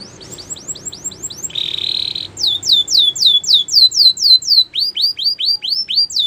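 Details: Canary singing a training song: quick curved high notes, a short flat buzzy burst lower in pitch, then rhythmic swooping downslurs repeated about four times a second.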